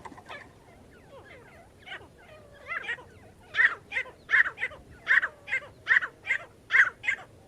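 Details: Partridge calls used to lure partridges for trapping. Scattered soft notes open the series, then a run of loud, harsh, evenly spaced calls repeats more than once a second through the second half.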